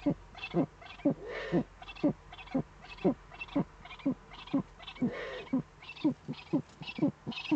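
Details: Eurasian eagle-owl pair on an Eifel nest webcam, evening of 23 February 2015, during the male's prey gift to the female: a regular series of brief, clipped, downward-slurred notes about two per second, with occasional breathy hisses.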